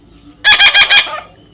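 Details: Short rough call from a baby parrot: four quick pulsed beats run together into one harsh, buzzy squawk.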